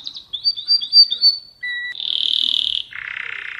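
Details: Mosaic canary: lilting whistled notes gliding up and down, a lone tone, then a dense high buzzing trill dropping to a lower rattle.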